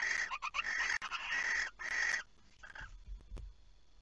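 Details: Barn owl (Tyto alba) at night, 23:36 on 5 August 2019, It Fryske Gea site, during prey transfer and mating: harsh, hissing screeches in long rasping bursts, then a shorter, fainter rasp and a few low thumps.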